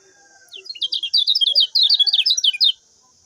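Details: Common iora song played as a master recording to train other birds, a fast two-second run of sharp, high chirping notes rising and falling in quick succession against a constant high-pitched hiss.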